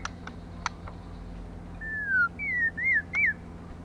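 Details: Female white-rumped shama, a lure bird to excite males, gives one long descending whistle followed by three shorter slurred whistles in quick succession, after a few faint clicks, over a low hum.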